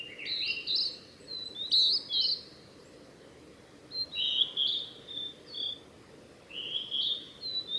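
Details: Male Blue-and-white flycatcher song recorded 8 June 2020 on the Mizusawa forest road, Tanzawa, Japan; bright whistled phrases with falling and wavering notes in two groups separated by a quiet gap, faint background hiss.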